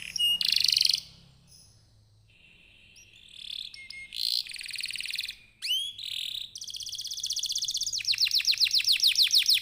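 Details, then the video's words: Canary singing in bursts to draw other canaries into song: a loud buzzy note, a pause, then scattered whistles and rasps, finishing with a long quickening trill of sweeping notes over faint low hum. "Kenari gacor, Apapun jenis jenis anda pasti akan terpancing bunyi dengan pancingan kenari ini"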